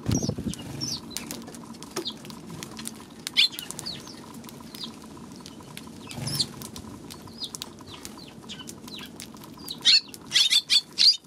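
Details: Eurasian tree sparrows giving short, bright chirps scattered throughout, some downward-sweeping, clustering into a busy burst near the end, with wing flutters and soft clicking in the background.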